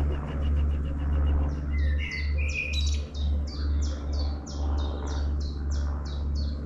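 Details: A long-tailed tit visiting a town gives thin, very high, short notes in a quick series, roughly three a second, over a loud, steady low hum like an engine.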